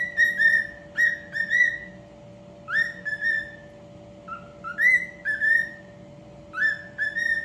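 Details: Cockatiel whistling a song of clear, rising-then-level whistled phrases, several notes to a phrase, with brief pauses between phrases over a steady low electrical hum.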